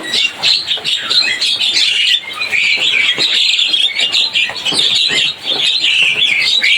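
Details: Javan myna singing in a continuous jumble of scratchy, high chattering notes and squawky twitters, loud and steady with only one brief dip near the end.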